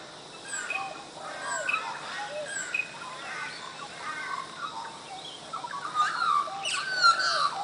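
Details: Australian magpies at Coffs Harbour, Australia, in a chorus of gurgling, warbled song notes, scattered and overlapping, growing louder and more fluting toward the end.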